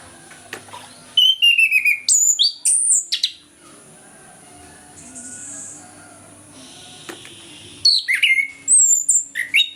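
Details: Orange-headed thrush singing its loud morning ngeplong song, meant to coax birds that are silent after moulting. Two bursts of rapid, varied whistles with sharp rising and falling notes, separated by several seconds of quiet.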